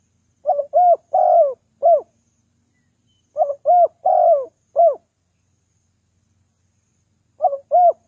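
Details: Spotted dove lure call for attracting wild doves. Phrases of four soft, low coos, the third note longer and wavering, are repeated about every three seconds with silent gaps between them.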